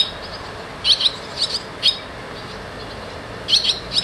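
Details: Young barn swallows moving in and out of their nest; sharp, high twittering chirps come in small clusters with short gaps, then a quicker run of notes near the end, over a low hiss.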